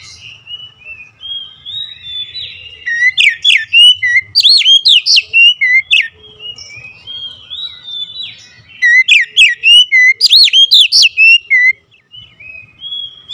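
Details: Agitated oriental magpie-robin delivering two long bursts of rapid, varied whistled phrases with sharp upward sweeps and looping notes, separated by softer level whistles, with a faint low background hum.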